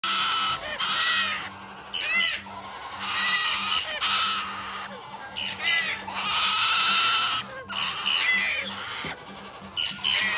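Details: Several captive-bred Major Mitchell's cockatoo chicks, hand-fed three times a day, giving harsh, grating squawks in long bursts that rise and fall, one after another with short pauses, with a faint steady hum behind.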